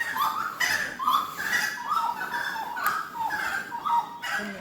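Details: Grey-cowled wood rail in Costa Rica, heard around 4:30–5 AM right outside a window; this is a recording played back: loud, clucking hoots, two or three each second in a bouncing, uneven series.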